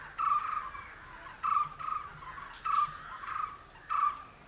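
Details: Green Indian barbet calling: short bursts of hollow, mid-pitched repeated notes, each burst lasting about half a second and recurring roughly every 1.2 seconds against a quiet background.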